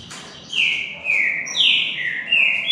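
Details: Two green-winged saltators in a singing dispute; a series of clear, full whistles sliding downward, each phrase given about every half second, with low background murmur.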